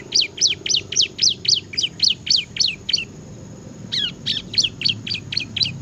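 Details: Bar-winged prinia delivering lively ngebren song, a steady train of loud, sharp, high chirps, roughly four per second, briefly pausing before another run.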